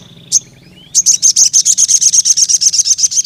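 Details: Wild crimson sunbird calling a rival male: one sharp high chirp, a rising thin whistle, then a steady rapid trill of evenly spaced high buzzy notes, about seven per second, with faint low hum beneath.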